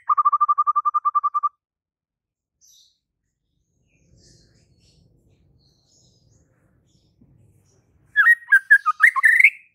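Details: White-rumped shama singing: a quick run of evenly repeated mid-pitched notes for about a second and a half, then a long quiet gap, then a louder varied phrase of twisting, rising whistles at the end.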